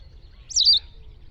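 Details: White wagtail (Motacilla alba) recorded in the wild gives a single sharp, high chirp that rises briefly and then slurs downward, over a soft, steady low background hum.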